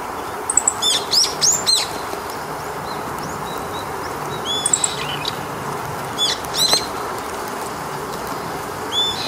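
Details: Eastern buzzard nest in a willow within Japanese riparian forest, early June 2019, late sunny afternoon near 18:30, a parent arriving to feed chicks: clustered high, downward-curving whistles in bursts every couple of seconds, over a constant broad hiss.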